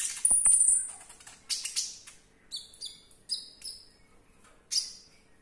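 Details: Olive-backed sunbird (konin) in captivity: a high thin whistle and clicks open, followed by spaced metallic two-tone chips and a final scratchy note, fairly quiet.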